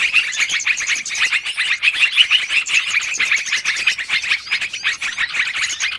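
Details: Yellow-vented bulbul lure sound for trapping, noisy and long: many birds chattering together in a steady, dense stream of quick chirps.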